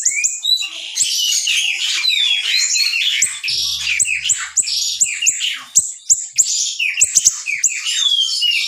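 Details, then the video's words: Small siri-siri singing very actively in dense, sharp bursts, a tutor recording for training songbirds; loud high chattering song of fast, varied chirps, slurred whistles and clicks, almost continuous and growing choppier toward the end. "masteran siri" kecil super gacor tembakan rapat & tajam"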